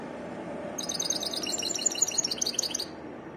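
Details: European goldfinch delivering a quick, bright burst of tinkling, twittering notes for about two seconds, high-pitched and closely packed, against a low steady hum.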